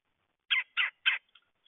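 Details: Red-headed woodpecker giving three harsh, raspy notes in quick succession, each about a tenth of a second long, with silence around them.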